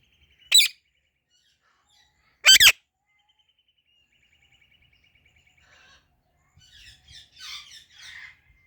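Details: Ringneck parrot uttering two loud harsh screeches a couple of seconds apart, then soft ticking and a burst of quieter chattering notes.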